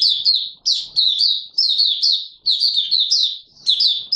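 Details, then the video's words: Mata Puteh Raja (Oriental white-eye) in opening song, 24 March 2022: near-continuous high twittering, short rapid phrases of slurred chirps following one another with barely a break over four seconds. "Mata Puteh Raja Video 1 buka sing"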